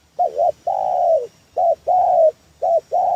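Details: Spotted dove calling as a trapping lure: paired short cooing notes, the first dipping in the middle, each followed by a long level coo that sags at the end, three phrases in quick succession.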